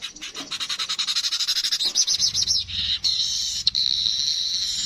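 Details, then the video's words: Streaked weaver in authentic voice: an accelerating train of rapid dry ticks, about four per second and gaining speed, running into a long, even, wheezy buzz with a brief click partway through. "Burung Manyar kepala kuning suara asli"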